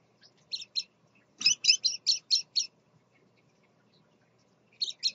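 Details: Scarlet-chested parakeet father with his babies, giving a quick run of about six sharp high twittering chirps in the middle, framed by single paired chirps before and after.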